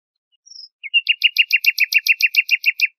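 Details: Singing nightingale: a thin high whistle and a couple of soft notes, then a rapid, rhythmic series of about fourteen identical loud chirping double notes, roughly three per second; nothing else audible.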